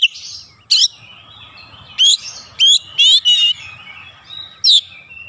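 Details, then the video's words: Oriental magpie-robin (kacer), emotionally agitated, giving isian filler song as short separate bursts of sharp whistles and buzzy trills spaced about half a second to a second apart over soft background hum. "PANCINGAN cepat Kacer emosi bongkar isian"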